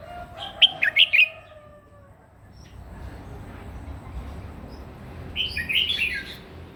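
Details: Morning fighting song by a red-whiskered bulbul, for voice training: a quick salvo of loud whistled notes with a lower drawn-out whistle early, a hushed gap, then a warbled answering phrase.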